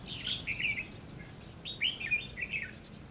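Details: Red-whiskered bulbul used as a decoy, singing to lure and challenge wild birds at a trap, recorded 20 May 2016 in Vietnam; short bright whistled phrases around mid-high pitch, two bursts of warbling notes with faint low background rumble.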